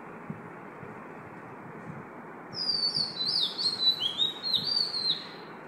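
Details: An Oriental magpie-robin sings at 5 am, a run of high, sweet, varied whistles and slurred phrases over a steady low background hiss.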